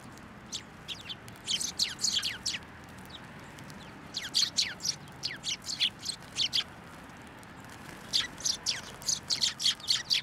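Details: A flock of sparrows gathers for food put out on a post at a Tenmangu shrine, 1 January 2024. Bursts of sharp, high chirps come in clusters, with brief quieter gaps between the excited groups.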